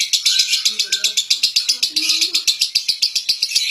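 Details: Lovebird from Central Java, Indonesia, a competition singing bird famed at local and national contests, delivering a fast, unbroken high chattering trill pulsing about four times a second, with faint low voices underneath.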